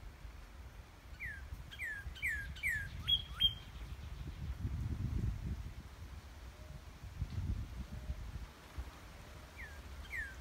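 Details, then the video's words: Northern cardinal singing at Easter 2020: a series of about five clear, loud, downslurred whistles given quickly in a row, then sharp higher notes, with two more slurred whistles near the end over steady low rumbling background noise. "cardinal singing"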